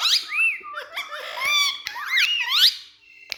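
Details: A pet Indian ringneck (rose-ringed) talking parakeet, kept with two other talking parrots, chatters in high, squeaky, rapidly gliding syllables, rising and falling like imitated speech, for about three seconds in a small room.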